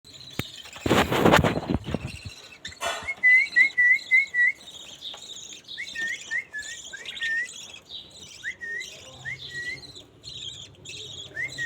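A budgerigar gives quick, bright chirps and wavering whistles after a brief burst of rustling noise.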